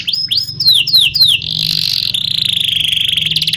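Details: Canary in ngerol nembak song: five loud downward-sweeping whistles in quick succession, followed by a continuous buzzy roll and a fast, even trill.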